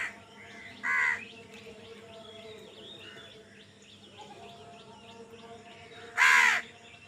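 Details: Crow competing for food gives two widely spaced harsh caws, roughly five seconds apart, over a soft bed of small-bird chirps.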